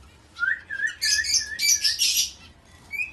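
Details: Indian ringneck parakeet, a pet talking parrot, giving a short series of chirpy, whistled syllables with a rising tone at the start and a brighter burst in the middle, then a final rising whistle after a pause, indoors.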